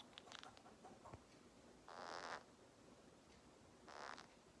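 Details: A pet green-cheeked conure gives two harsh, raspy squawks about two seconds apart, each lasting half a second, after some soft clicks and rustling.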